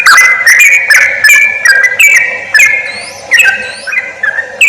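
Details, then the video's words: Sooty-headed bulbul lure call for drawing wild bulbuls close for trapping: loud bright whistled phrases stepping between notes, with sharp high clicks, some rising sweeps, and a steady low hum underneath. "SUARA PIKAT BURUNG CRUKCUK/TRUCUK BUAT PARA PEMIKAT"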